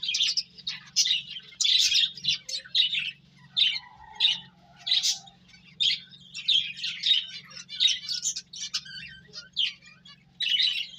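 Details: Several high, sharp chirps from finches while they eat and play come in tight, busy clusters with short pauses, a lively, almost continuous twittering over a faint low hum.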